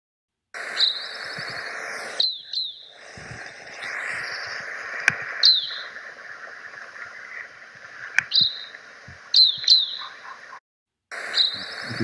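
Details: Evening Grosbeak type 5 flight calls recorded in the Huachuca Mountains, southern Arizona: short, sharp, high downslurred notes given singly or in quick pairs every second or two, over a steady lower rumble of background sound.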